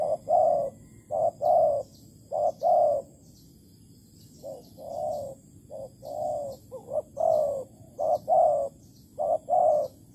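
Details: Spotted dove recorded at a bare-bait bird trap in Malaysia on 11 August 2020, cooing steadily: many low, rounded coos grouped in short-long pairs and triplets, spaced about a second apart, with a brief pause midway.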